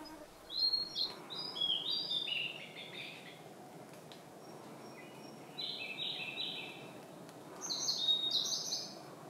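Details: Blue-and-white flycatcher in the Khingan reserve, Amur region, Russian Far East: three separate bursts of high, quick, warbled whistled notes spaced a few seconds apart over a soft forest hiss.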